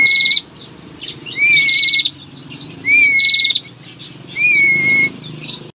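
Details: A lively female prinia used to draw out males gives repeated phrases: a slurred, rising whistle tied to a brisk, buzzy trill, about four times in six seconds, with quiet gaps between.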